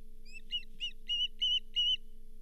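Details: Osprey at the Charlo nest, 31 July 2023, during delivery of a lake whitefish: six whistled chirps that lengthen and grow louder, a slurred high note trailing, over a constant low hum.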